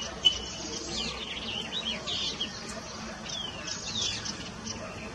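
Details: A pair of yellow-eyed babblers giving high, thin twittering notes in quick looping phrases, with a second burst about four seconds in, over a low background hum.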